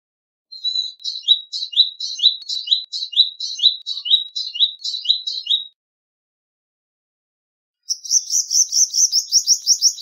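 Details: Palestine sunbird, male, delivering a long run of high chirps repeated about twice a second, each a slurred downward flick, followed after a pause by a fast, buzzy, higher-pitched trill.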